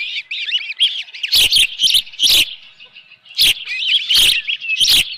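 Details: Osprey calling at a nest at Dunrovin Ranch on a June 2018 morning with a live fish present; wavering high cheeps in quick series, cut by repeated loud crackling knocks.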